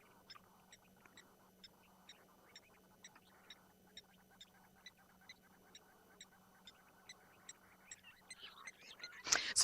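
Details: Blacksmith lapwings in Ngala Private Game Reserve, South Africa, on the morning of 8 May 2020, alarm at a leopard drinking: sharp, metallic anvil-like 'tink' notes, about three or four a second, under a man's quiet voice and a low hum.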